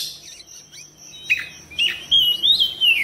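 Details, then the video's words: Oriental magpie-robin therapy song for prompting lively singing and tail-spreading: faint notes over a steady high tone and background hiss, then louder whistled phrases that rise and fall near the end. "TERAPI KACER CEPAT RESPON GACOR BUKA EKOR"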